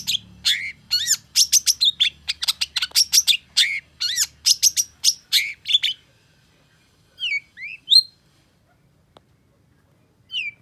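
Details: Long-tailed shrike in agitated, full song, quickly answered by a rival shrike: a rapid six-second burst of sharp, varied chirps and slurred notes, then a few separate downslurred and rising whistles with short pauses.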